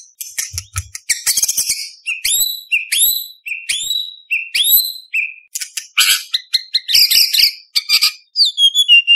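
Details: White-rumped shama singing contest material rich in mimicry: a series of upslurred whistled notes repeated about every half second, then scratchy chatter, staccato chips and a final falling whistle.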